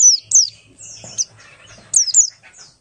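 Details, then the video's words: Buxtoni Oriental white-eye singing as a lure for other white-eyes: clean, very high, quick downslurred whistles in small pairs, separated by brief quiet gaps. "pleci Buxtoni ngalas 12345 pancingan pleci bahan agar cepat bunyi"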